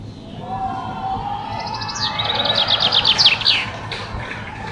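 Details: A chaffinch sings a bright, quickening run of descending notes that tumbles down the scale and ends in a short flourish, over a soft steady background hum.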